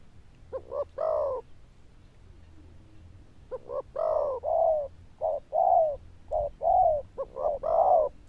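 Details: Zebra dove with a loud, bell-toned voice, cooing in phrases of short stuttered notes that lead into a longer mellow coo. After a quiet gap there is a long run of these phrases, with low background hum.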